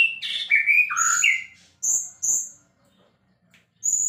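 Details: A brief burst of white-rumped shama song: quick rising and falling whistles, then three separate thin high notes with short silences between them.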